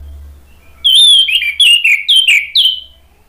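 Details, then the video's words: Orange-headed thrush song used as a lure to get other birds to answer and sing steadily: after a quiet start, a run of loud, clear whistled phrases, some slurred downward, in quick succession over two seconds, with no other sounds. "PANCINGAN ANIS MERAH biar ikut NYAUT jadi BUNYI GACOR NGEPLONG"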